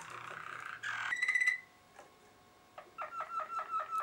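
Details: Malinois Waterslager canary singing indoors: a soft rolling tour, a brief buzzy burst, a clear sustained whistled note, then a rhythmic series of repeated bubbling water-like notes.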